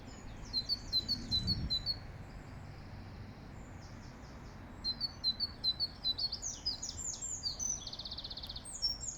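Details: Great tit singing in Regent's Park, London: a run of high, thin notes, quick and repeated in short bursts, with a brief low thud and steady background hum.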